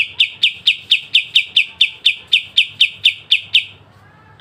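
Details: Pied triller, kapas tembak masteran song with sharp besetan, recorded very clear: about fourteen sharp, high chipping notes repeated roughly four times a second in a steady run, then a brief pause and one last note.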